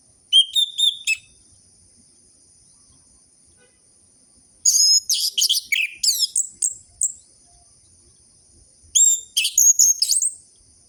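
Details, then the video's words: Song of an orange-headed thrush meant to stimulate captive birds that have stopped singing: a short whistled run, then a long, varied outburst of fast high chirps and slurs, then another brief phrase after a pause. "Pancingan burung anis merah macet dan malas bunyi"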